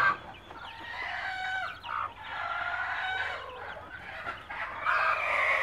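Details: Native country chickens with chicks, a mother hen calling her young to food: drawn-out harmonic hen calls rise and fall through the clip, with faint high chick peeps between them.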